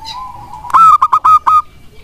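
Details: Local wild-type zebra dove singing a lure phrase meant to draw replies from idle doves. A soft drawn-out tone leads into about five punchy, bell-like coos in quick succession.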